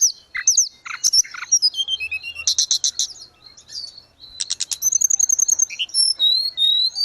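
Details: Grey-cheeked bulbul song from cage-bird training audio: varied high warbles, dense rattling trills and thin drawn-out whistles following one another quickly, with a quieter gap near the middle.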